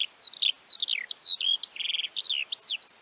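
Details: Eurasian Skylark song from Central Russia: quick run of sliding whistled notes, rising and falling slurs, and a short rattling burst of repeated notes midway, delivered in an unbroken high-pitched flow.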